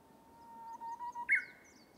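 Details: Japanese bush warbler (uguisu) singing in a bamboo forest: a long, steady low whistle that swells slightly, then an abrupt, loud, higher flourish that jumps up and holds briefly before fading, over quiet background.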